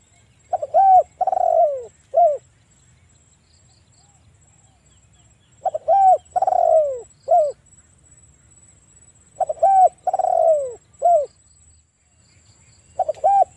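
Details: In the evening, a spotted dove coos a low three-part phrase, short note, long wavering coo, short note, about every four seconds, over a faint steady high hiss.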